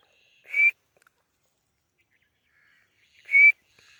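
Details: White francolin calling with two loud, piercing whistled notes, each short and slightly rising, about three seconds apart, with near silence between them.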